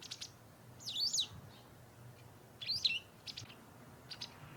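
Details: White wagtails in a garden in autumn, amid intensifying territorial fights: sharp, high chirped calls in two bursts of rapid, twisting notes, each with short ticks around it, over a soft low background hum.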